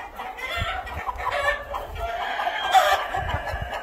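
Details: Cream Legbar chickens kept together in a hatchery pen, giving a jumble of overlapping clucks and short cackling notes from several birds, with low thumps in the background.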